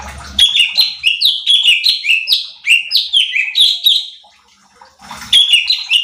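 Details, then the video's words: Cucak cungkok bulbul in a training recording meant to rouse other birds. A long, lively chain of clear whistles, each dipping in pitch, rapidly repeated for about four seconds, then a pause and a fresh burst. "Pancingan Cucak Cungkok Malas Bunyi | Bikin Emosi Burung Lain"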